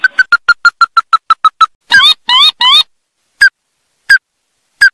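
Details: Ruddy-breasted crake: a quick series of about ten evenly spaced sharp notes, then three longer wavering, squealing phrases, followed by three spaced single notes in a quiet setting.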